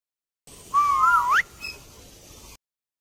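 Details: Ringneck parrot making a funny sound: one clear whistled note that wavers, dips, then sweeps sharply upward, followed by quiet background hiss.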